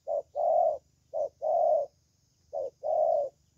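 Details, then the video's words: Young spotted dove in the 'thổ' voice style, praised for its fine voice, giving three paired coos: a brief clipped note then a long, full, hollow coo, with a soft low hum and a high steady whine behind. "Thổ Tơ Tốt Tiếng"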